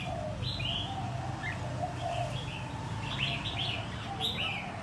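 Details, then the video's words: Wild-caught red-whiskered bulbul, competition-ready after a year: clear separate whistled notes that swoop down in pitch, several in quick pairs, with soft lower chirps and an even background hum. "chào mào bổi sau một năm có thể thi đấu được"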